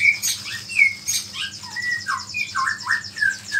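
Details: White-rumped shama in lively, continuous song packed with imitations of small birds, meant to provoke other shamas: quick varied whistles and slurred notes with sharp high chips, over a faint steady low hum.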